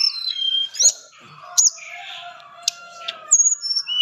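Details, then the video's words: Tame white-flanked sunbird sings high thin whistles and a few sharp clicks over a steady lower background hum. "Tledekan gunung gacor jinak ngobra full isian cocok buat masteran burung kesayangan"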